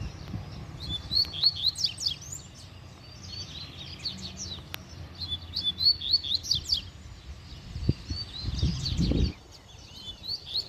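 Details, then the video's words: Rusty-collared seedeater in the wild, pursuing a female near its nest: repeated phrases of quick high chirps and slurred notes in bursts, with a brief low thump and rustling near the end. "COLEIRO NO MATO DANDO TRABALHO!!! COLEIRO DA GAIOLA NÃO FICA PRA TRÁS!!!"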